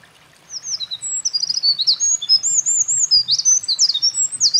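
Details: Eurasian wren at a mountain pass in late April 2024, earlier seen carrying nesting material, singing energetically: a long, rapid, high-pitched torrent of trills and twittering notes starting half a second in.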